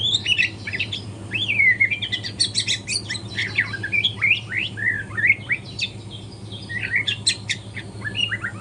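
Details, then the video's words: A young white-rumped shama in morning song practice pours out a dense, hurried stream of varied squeaky whistles, sharp chips and slurred notes, barely pausing, over a low steady hum. "GACOR kicauan murai batu trotol pagi hari"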